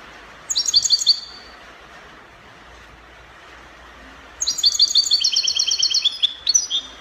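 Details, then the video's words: Copia-style song of a European goldfinch from Morocco, one short high twittering phrase, a three-second pause, then a longer run of rapid, ringing, buzzy notes repeated about three per second. "Chardonneret copia Morocco من أجمل تغريد الطائر الحسون تغريد كوبيا إسباني"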